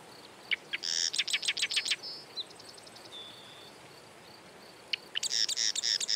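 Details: Marsh wren singing twice. Each song opens with clipped notes and rolls into a dense, buzzy chatter of repeated elements, with a short whistled note in the quiet gap between.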